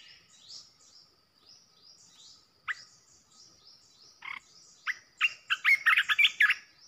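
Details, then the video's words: A decoy red-whiskered bulbul, used to provoke other bulbuls, sings over faint, high twittering from other birds. A few scattered chirps build into a fast, loud run of whistled notes near the end. "เสียงนกกรงตาแดงEp.16 Birds sounds เสียงต่อนกกรงตาแดงตัวดุๆ"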